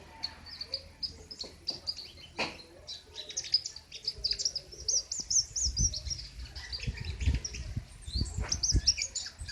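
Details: King konin in continuous besetan singing, loud and sharp: a dense stream of high, quick chirps and twitters with short buzzy bursts, over a low background rumble.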